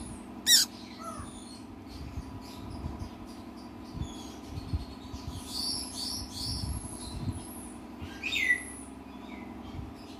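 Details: Hand-raised blue-eyed cockatoo chick, two days old, begging with its mouth open: thin, high squeaky chirps in short irregular clusters, with a sharp click near the start over a steady low mechanical hum.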